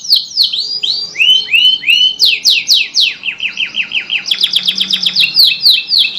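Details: Caged canary singing, used to prompt stalled canaries to sing again: sweeping downward whistled notes repeated in series, then a fast run of short descending chips and a high rapid trill.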